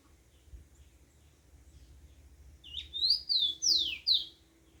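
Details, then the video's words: Yellow-bellied seedeater singing outdoors at dawn; after a quiet start with low rumble, one rapid phrase of high, sweet, slurred notes, some with buzzy upward flicks, lasting about a second and a half. "Canto do papacapim na natureza"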